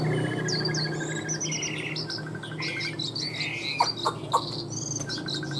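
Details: Chinese hwamei, a tame singing bird, produces varied phrases: short trilled bursts, high piping notes and rising whistles. A few sharp clicks near the end and a constant low hum sit underneath.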